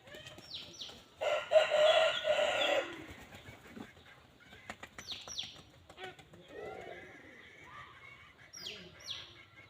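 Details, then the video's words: Rough crow of a red junglefowl lasting over a second, with bursts of wing flapping and sharp, downward-sweeping whistles from other birds throughout. "suab qaib qus dib tuaj zoo 100% poj dhia ceev"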